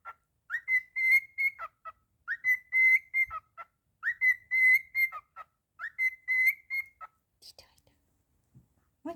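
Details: A happily singing cockatiel gives repeated whistled phrases that open with a quick upward slur and then hold steady, wavering tones. The phrases come in four similar bursts, then end with a few scattered chirps.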